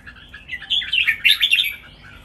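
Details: Red-whiskered bulbul, a caged bird, singing a lively run of rapid, bubbling whistled notes that builds and then fades into soft warbling.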